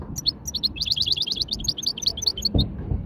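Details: A hybrid finch sings a light widani-style warm-up: a dense, rapid series of high, sharp twittered notes repeated without pause over a low background hum, with a brief thump near the end.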